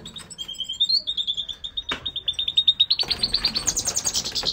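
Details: An aggressive male European goldfinch in breeding condition sings a fast, high twittering run of tinkling notes, speeding into a rapid chattering trill near the end.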